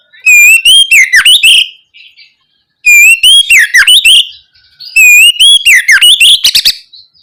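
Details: Oriental magpie-robin ngeplong song as a lure for young birds to answer: three loud phrases about every two to three seconds, each opening with a rising pure whistle and ending in rapid, scratchy warbles and clicks.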